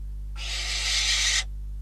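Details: At a Catalonian barn owl nest on a live camera, 12 December 2021, as a bird and then a rodent are brought in: a single broad, noisy hiss-screech lasting just over a second, building slightly before stopping abruptly, with a faint low hum throughout.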